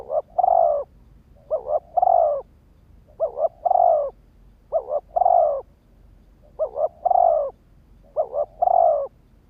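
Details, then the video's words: Spotted dove decoy bird used to lure and provoke wild birds, giving cooing phrases: a quick doubled coo followed by a longer, fuller rolling coo, repeated about every two seconds over a quiet background. "Tiếng chim cu gáy kích bổi"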